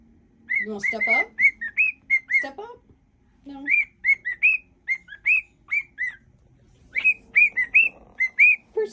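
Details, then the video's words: Pet cockatiel singing a mash-up of songs: bright short whistled notes, several rising sharply, in phrases separated by brief gaps, with a person talking at times and a low background hum. "whistling cockatiel"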